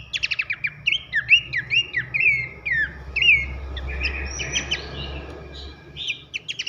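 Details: Masteran of pelanduk semak, Horsfield's babbler, in loud 'nembak nyiul' style: opening crackling bursts, a run of rapid dropping whistles, then a softer buzzy stretch before more clicks, with steady low rumble.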